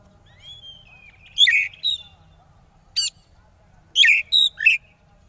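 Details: Lure song of an oriental magpie-robin in the konslet style, intended to make opponents sing too: a soft drawn whistle, a loud harsh burst, a lone rattling chip, then three quick scratchy notes.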